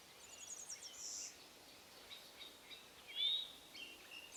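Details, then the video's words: Golden-winged Warbler singing in mid-May on its breeding grounds in northwest Wisconsin, in logged managed forest beside a wetland with young aspen and willow: a quick run of thin, very high notes ending in a longer dry buzz, with other birds chirping softly. "That was the song of the golden-winged warbler."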